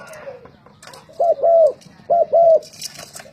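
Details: Caged spotted dove used as a decoy, singing in competition: two clear paired coo phrases, the second note held and arching, over faint background voices and a low hum.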